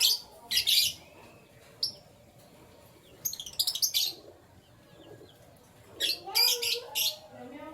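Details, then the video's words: Canary chirping in the morning, made of clusters of high, sharp notes in quick bursts spaced a few seconds apart. One fluttery run of rapid notes sits in the middle, and some lower calls are faintly audible. "Canary Chirping Sounds"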